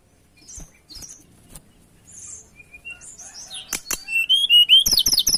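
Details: Tledekan in breeding mode, singing to challenge a rival: soft, scattered high notes build into a loud rush of sliding whistles and a quick string of repeated sharp chips.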